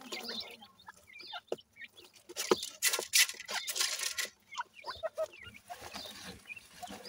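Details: Playing Grey francolin chicks give quick high cheeps at irregular intervals, partly buried under dense scratchy rustling and broadband clatter.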